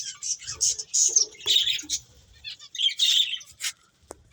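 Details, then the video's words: High, thin chirps and short twitters from playing finches, in a few quick bursts separated by quiet gaps, ending with a single sharp tick. "Cute Birds Chirping Sounds | Beautiful Finches Playing"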